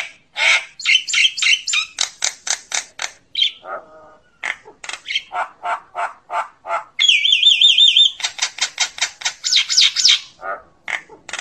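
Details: Common myna flock call: rapid repeated chattering notes in fast runs, a few low gurgles, then a long wavering warbled whistle before more quick chatter and rasping chacks.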